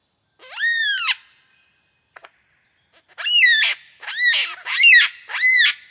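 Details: Superb lyrebird calling in the wild in a cold winter forest one morning: loud, rich harmonic notes that rise then fall in arches, one at the start, then four in a row about every 0.7 seconds, echoing.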